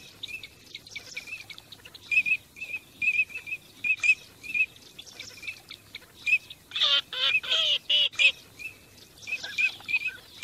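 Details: Teal calling on migration, a flock giving steady thin whistled notes at one pitch, repeated irregularly, with a burst of harsher grating calls midway and more whistles at the end.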